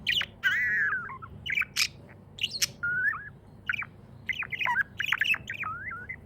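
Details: Happy pet budgerigar chirping: warbled, wavering notes around mid-high pitch mixed with sharp clicks and short rising tweets, nearly continuous over six seconds, with a low steady hum underneath.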